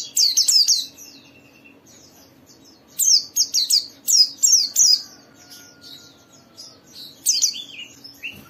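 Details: White-eye lure song for caged white-eyes: short clusters of sharp, very high, down-slurred chirps repeated in quick bursts with brief pauses. A soft steady hum sits in the background.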